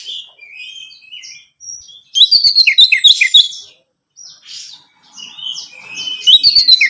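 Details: Orange-headed thrush song played to get a captive bird singing: soft scattered whistled notes, then a loud burst of rapid chattering and downslurred chirps, fading and returning loudly at the end.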